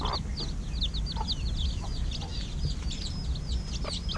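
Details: Week-old domestic chicks peeping during an evening feed, a flock calling together in quick, high, slurred cheeps that run without pause, backed by constant low background hum.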